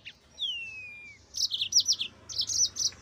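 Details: One long whistle gliding steadily down, followed by a quick run of high, chirpy notes from a singing yellow-fronted canary.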